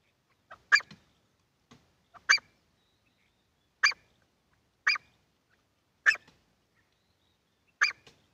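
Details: Wild partridge from a set of wild, hunting and female calls: isolated sharp harsh notes, each preceded by a soft short lead-in, spaced one to two seconds apart in a quiet setting.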